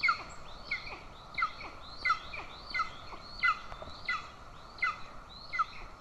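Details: Golden eagles at a nest in Estonia on 20 June 2024: the mother feeds an aggressive chick while the father stands by with a bird. A sharp, clipped call repeats about every 0.7 seconds over steady background hiss.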